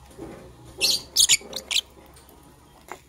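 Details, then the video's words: During preparation for egg laying, green and blue lovebirds chirp in the morning: four quick, shrill, high chirps in a rapid sequence, followed by near silence and one faint click. "Green and Blue Lovebird Chirping Sounds - Preparation for Egg Laying"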